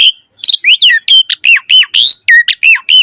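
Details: Javan pied starling singing in full voice as a lure for young birds, delivering a fast run of about a dozen short, arched whistled notes at a quick, uneven pace.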